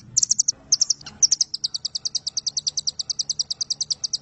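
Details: Velvet-fronted nuthatch of the 'Doraemon' type giving a long-firing 'nembak panjang' song meant as a tutor recording. A few short, high chip bursts lead into an even, steady string of sharp ticking notes.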